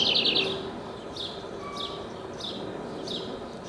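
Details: A backyard nesting house wren sings a quick bubbling burst of high chattering notes, then short downslurred chips repeated about twice a second, with a faint steady tone beneath.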